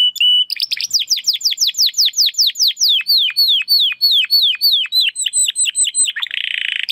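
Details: Belgian canary singing estralando, a long series of downward-swooping whistled notes at about three per second, closing with a short buzzy trill.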